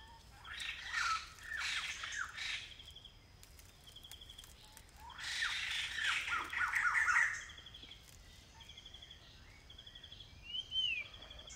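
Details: Blyth's paradise flycatcher, a short-staying migrant in semi-evergreen community forest near Kulen National Park, Cambodia: two separated bursts of harsh rasping chatter with clipped notes, between stretches of pulsing insect buzz and soft distant calls.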